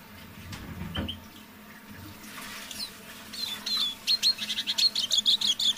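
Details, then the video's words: Caged decoy Eurasian siskin in evening song, warming up from quiet to clearer singing: scattered soft notes and one low thump, then a brisk run of rapid, evenly spaced twittering chirps with thin whistles. "Песня моего манного чижа"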